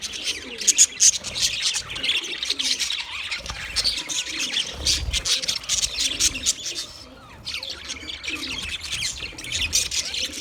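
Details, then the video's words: Continuous budgie chatter, a thick wash of high chirps and raspy warbles that briefly quietens near the middle before picking up again. "sounds of budgies chirping"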